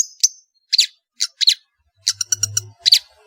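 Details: Long-tailed shrike, a cendet in full voice, gives short scattered bursts of sharp, buzzy chirps, then a quick stuttering cluster of notes over a faint low hum.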